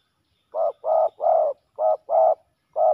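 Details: Male spotted doves fighting at a ground decoy setup: six hoarse, mid-pitched coo notes in two groups of three, short-short-long, with a clean, quiet background.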